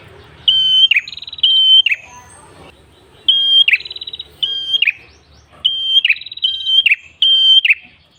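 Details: Red-headed tailorbird singing in the energetic ngalun style, recorded as a lure for wild birds: short steady whistled notes, each ending in a quick downward slur, alternating with buzzy rapid trills, in phrases repeated about every two seconds.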